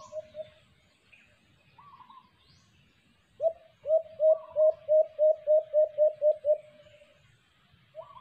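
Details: White-eared brown dove, or alimokon, at a cage-trap hunt: brief coos, then a steady sequence of about ten hollow low coos, with short higher chirping notes from other birds before and after.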